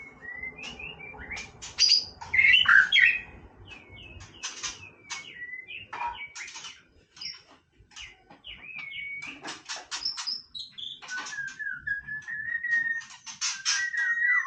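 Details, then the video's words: White-rumped shama singing playfully amid low background noise, giving scattered sharp clicks and chirps, short whistled slurs, and later a long, clear falling whistle repeated twice. "นกกางเขนดงร้องเล่น Shama Bird"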